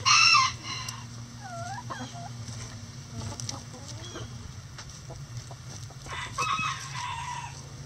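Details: Backyard chickens going about their daily business give a loud squawk at the start, then soft curved clucks and murmurs scattered through the rest, all over a constant low droning hum.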